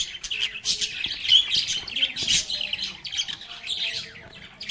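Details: Lively lovebird chorus of singing and playing: bursts of loud, scratchy chirps repeated every half second or so, layered over constant busy twittering.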